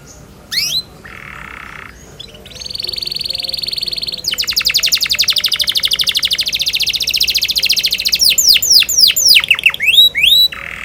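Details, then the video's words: Canary song made of varied phrases: a short whistled note, a steady buzzy tone, then a long rapid trill of repeated notes, ending in swift sweeping whistles and a final buzzy note. "Nada 38 detik #canary #canarysing"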